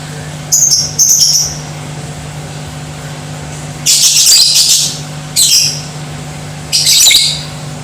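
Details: Lovebird chatter intended to make other lovebirds aggressive and singing: a few thin whistled squeaks, then three broad, noisy, scratchy bursts roughly every one and a half seconds, over low hum.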